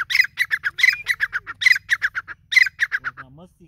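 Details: Grey francolin calling steadily: harsh, grating notes repeated in quick rhythmic phrases of about five or six, each phrase led by a sharp accented note. The series breaks off near the end, leaving faint low sounds.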